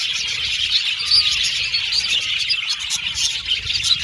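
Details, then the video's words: Happy Australian budgies chatter together in a steady, high twittering mix, with a few brief clear whistles standing out above the constant flock chirping. "Beautiful Cute Budgies Chirping Sound | Australian budgies Singing sound"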